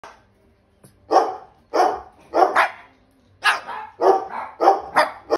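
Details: A male pet sulphur-crested cockatoo barks like a dog in short, harsh, repeated bursts, happily greeting its owner arriving home.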